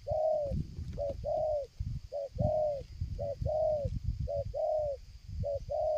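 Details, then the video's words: A spotted dove, used for luring, coos strongly and nonstop, approaching from far to near, in soft, mellow pairs of a brief note then a longer drawn-out one, about once a second, with stuttering gaps, over a low rumbling background. "tekukur ini kuat nguku dari jauh mendekat nguku takberhenti,penguku selang gagap"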